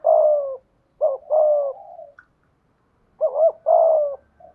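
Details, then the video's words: Decoy spotted dove with a 'thổ' style voice giving three soft, deep coo phrases about a second apart. Each is a quick lead note slurring into a sustained, gently descending coo, in a quiet setting. "Chim Cu Mồi/ cu gay giong tho cuc dinh"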